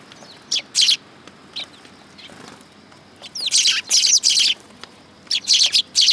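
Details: Sparrows arriving to be fed at a Tenmangu shrine, 19 August 2022. Paired chirps, a soft lone note, then a loud tumbling run of chirps, and a final quick trio.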